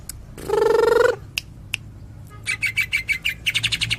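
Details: Greater green leafbird: a long, low, buzzy harmonic note, a pause with a few clicks, then a quick run of bright chirps in 'tembakan' style.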